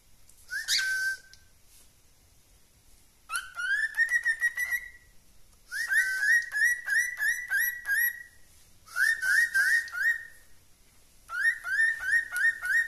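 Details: A cockatiel whistles its song in quick runs of rising, slurred notes, several per second.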